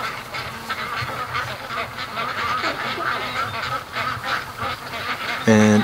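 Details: Flock of domestic ducks rushing home along a creek at about six o'clock on October 5th after being spooked on the lake: dense overlapping honking quacks throughout, with a man speaking and a loud clear quack near the end.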